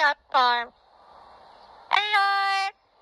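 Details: Yellow-headed amazon singing "Old McDonald" in a clear, human-like voice: two quick sung notes, a pause, then a longer held note on a steady pitch.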